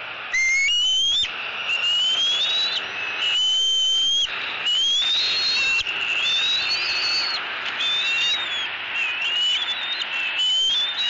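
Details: Young eagle in Southwest Florida, 3 April 2018, squealing loudly to its mother to get fish at the nest: a run of high, rising, whistled squeals, each about a second long, repeated steadily over steady background hiss.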